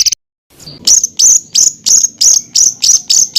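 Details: Songbird master recording of 'full isian tembakan' rapid-fire filler phrases for training contest birds such as white-rumped shama, greater green leafbird and oriental magpie-robin; after a brief silence, sharp high chips with falling tails repeat about three times a second.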